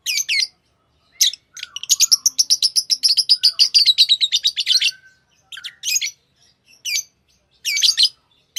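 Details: Tame pet lovebirds: a fast, rhythmic run of about twenty quick, repeated, high chirps lasting several seconds, framed by separate harsh chirps before and after.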